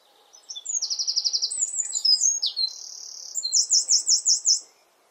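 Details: In a garden with its nest close by, a Eurasian wren bursts into song: piercing high notes, a fast even trill, then a steady rapid rattle of repeated sharp notes, the phrase about four seconds long.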